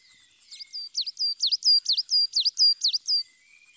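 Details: Coal tit (Periparus ater), a Russian forest bird, singing a quick run of high, thin, squeaky notes, each dipping and rising, about three a second; nothing else is heard.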